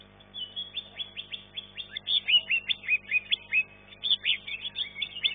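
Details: Green leafbird singing in a contest, placed third: a fast, chattering stream of sharp, varied chirps and scratchy trills, pulsing several times a second with brief pauses.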